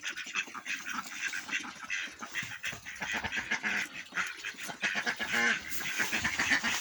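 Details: Domestic ducks on a muddy farm near Istanbul on a sunny day after heavy rain, among chickens and geese, give harsh, nasal quacks in overlapping bursts, about one a second, over a steady rough farmyard background.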